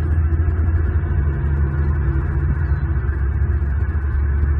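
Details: A steady low hum with sustained music-like tones runs throughout, and no animal voice stands out.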